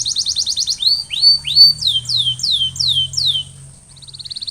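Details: Canary song played to prompt silent canaries to sing: a short burst of fast high pulses, then rising and falling slurred whistles repeated in a row, a brief gap, and a soft rapid trill at the end.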